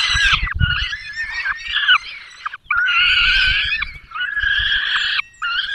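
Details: Barycz Valley, Poland, 5 May 2022: at a peregrine falcon nest, the male arrives with a small bird and the female feeds the chicks. Loud, long, harsh wailing calls come in bursts, with faint low rumbling beneath.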